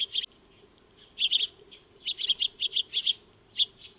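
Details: Eurasian tree sparrows (maya birds) feeding in a backyard, recorded by a motion-activated trail camera: one chirp, a pause, then a bunched run of sharp tweets and a final single note.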